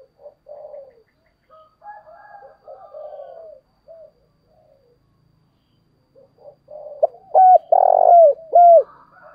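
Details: Caged decoy spotted dove calling in the morning to attract wild doves, with eager, rapid urging coos; faint distant cooing and soft chirps give way to a loud phrase of clipped coos, one long rolling vibrating coo and a falling end note.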